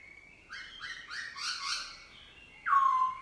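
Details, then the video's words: A kept black-throated laughingthrush sings its forest-style song in the morning: a rich run of four or five quick, mellow notes ending on one loud, clear, slightly downward-sliding whistle, over a faint steady hum. "Khướu mun bổi hót giọng rừng cực phê"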